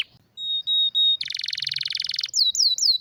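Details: Canary with a rare, strong song for tutoring other canaries: pure sustained whistles, then a dense buzzy rattle, closing with several looping descending whistled notes.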